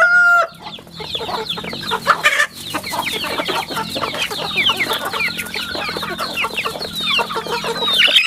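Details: Many chicks on a rural farm peeping together: constant thin, high descending cheeps overlapping in a busy chorus, preceded by a brief clear whistled note at the start.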